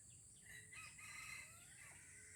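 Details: Wild junglefowl of Aceh, Indonesia, recorded at a first lure trial, giving a rough, strained crow in one drawn-out phrase of about a second, over a constant shrill insect drone.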